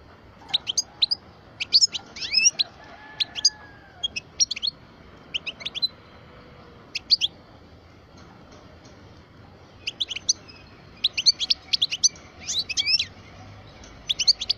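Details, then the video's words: Twelve-year-old European goldfinch of the parva form singing scattered phrases of quick, high twitters with a quiet gap in the middle, then a denser flurry of trilled notes. "Chant parva le meilleur"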